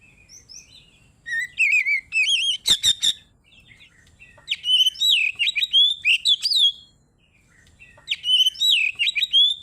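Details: Oriental magpie-robin singing ngeplong to summon a rival: loud phrases of clear, downward-slurred whistles and high thin notes, interrupted once by a few sharp clicks, repeating in bursts separated by short pauses.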